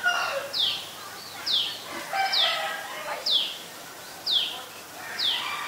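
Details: Adult Common Tailorbird in Ubon Ratchathani, Thailand, 11 April 2022, repeats loud, sharp, high notes that sweep downward, six in a row, about one per second, over faint chatter from other birds.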